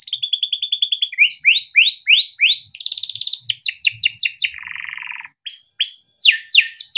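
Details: Yellow canary, a cage-raised singer used to train young canaries, sings a rolling trill, a series of upward-swept whistled notes, a fast pulsed roll, a low buzzy phrase, then sharp sweeping notes.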